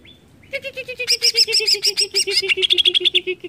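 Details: Greater green leafbird song meant to agitate other leafbirds: a dense, chattering stream of squeaky chirps over a steady, lower pulsed note repeated several times a second, ending in clear high whistles.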